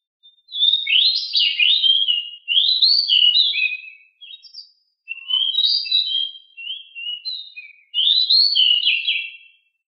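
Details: Pied bushchat (decu) in a lively 'ngeroll' song. Almost continuous high, buzzy-whistled warbling phrases follow one another every couple of seconds, fast and tumbling, with no other sounds.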